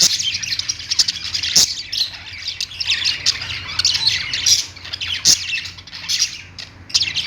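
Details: Pet budgerigars singing while perched, lovebirds kept nearby: nearly continuous buzzy, squawky chatter with scattered bright squeaks and a few loud clicks.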